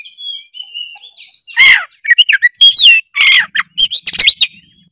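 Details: Oriental magpie-robin in loud full song, played to spur other magpie-robins into singing: soft thin whistles at first, then a fast run of rich varied whistled notes mixed with harsh raspy bursts.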